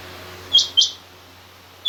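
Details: A female rain quail calling gives two short, high, sharp chirps about a quarter-second apart, then a third chirp begins at the very end. A faint low hum sits underneath.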